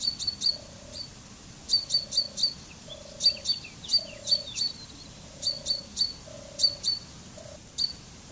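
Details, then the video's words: Common chaffinch (Fringilla coelebs) giving bursts of short sharp high notes, with a low steady hum-like tone recurring about every second beneath them. "Canto del Pinzón Común"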